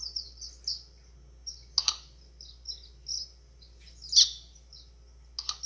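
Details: White-throated seedeater (golinha) with an azulão-style call meant to fire up birds: high twittering notes in short groups, interrupted by three sharp crackling bursts, the loudest near the end.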